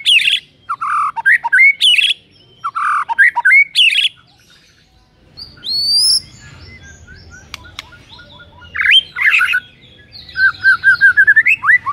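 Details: Morning White-rumped shama song aimed at making a rival shama sing: loud clusters of varied whistles and harsh notes, a quieter stretch with high thin sweeps, then renewed bursts and a rapid rising trill.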